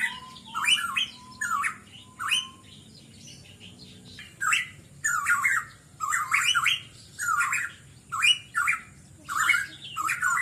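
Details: A pitohui, recorded as a lure to set other birds singing, gives loud, harsh whistled phrases that slur up and down, repeated about once a second in irregular bursts, with a faint low hum underneath.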